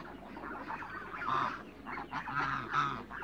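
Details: Fainter honking from African geese in a Greek farm backyard, mature and young birds, a few muffled nasal calls rising and falling over three seconds.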